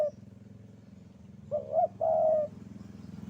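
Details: A single Javan spotted dove phrase in the sandungan kuk 2 style, a short rising note then a sustained low coo, over a constant droning hum.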